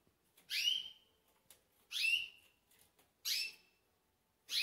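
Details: Green pintagol near bedtime, recorded close: quick series of loud, sharp descending whistles, one roughly every one and a half seconds, with little else audible.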